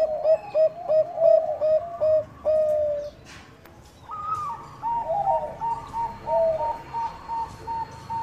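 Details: Zebra dove of the Bangkok type in full song as a lure for rivals: fast chains of short low coos, a brief pause, then higher bright notes mixed with further coos, possibly overlapping callers.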